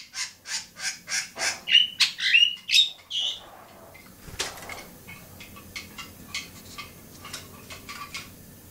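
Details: Long-tailed shrike (cendet) at Bobotsari: a fast run of harsh, scratchy high notes, about three per second, for three seconds, then softer, sparser chips and short squeaks over a faint background hiss.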